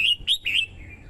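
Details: Caged female red-whiskered bulbul singing to stimulate a male and lure wild birds: brief clear whistled phrases, a bright note then two quick slurred rising-falling notes, trailing into a softer fading warble.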